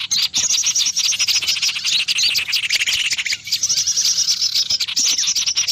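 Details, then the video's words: Loud lure call used to attract small birds: dense, high-pitched chirping and twittering in rapid bursts, sharp repeated notes, with a brief lower jumbled passage mid-way. "Suara pikat burung kecil suara keras"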